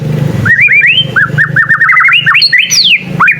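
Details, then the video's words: Young white-rumped shama learning its song, said to make other shamas answer: a rapid string of rising whistled notes, then a high falling sweep, over a low steady hum. "Suara burung murai batu paling gacor bikin burung murai lain langsung nyaut"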